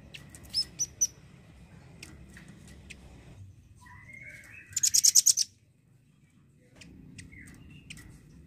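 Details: Velvet-fronted nuthatch, a constant singer, with its song used as a tutor for songbirds: scattered sharp high chips and a short slurred note, then a fast burst of about eight piercing repeated notes, over steady low background noise.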